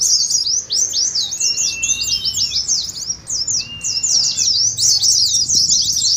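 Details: Oriental white-eye 'ngeriwik' song used as a training lure: rapid high twittering phrases separated by short dips, plus a couple of lower, longer whistled notes.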